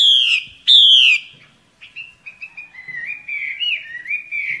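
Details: Female Hwamei calling in the wild forest to attract males in breeding season; two loud rich downslurred whistles followed by a run of softer wavering, rising and falling whistled notes.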